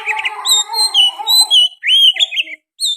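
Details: Oriental magpie-robin song mixed with sooty-headed bulbul phrases: sustained whistled notes and a rising slurred whistle, with softer lower warbling beneath and a short pause before a final note.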